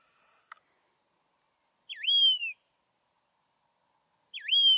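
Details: Yellow-throated longclaw (Macronyx croceus) at Saint Lucia, Eastern Shores, KwaZulu-Natal, South Africa: two loud, clear whistles about 2.5 seconds apart, each dipping then rising and sliding down; a faint click before.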